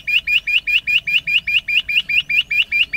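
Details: A rock bush quail (Perdicula argoondah), a grassland monsoon singer, sings in August 2024 at Indapur, Pune, Maharashtra: a fast, steady run of short, rising whistled notes, about four or five a second, over faint low rumble.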